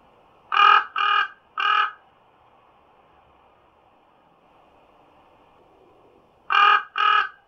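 A common raven gives harsh, hoarse caws: a quick series of three, then a pause of several seconds before two more, over a faint background hum.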